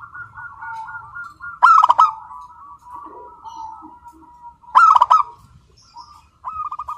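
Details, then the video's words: Local zebra dove singing without pause, in a clear, crystal voice: a low rolling coo with quick pulsed trills, broken twice by loud, sharp, stacked bursts of notes. "Perkutut Lokal GACOR SUARA KRISTAL MANGGUNG TANPA JEDA"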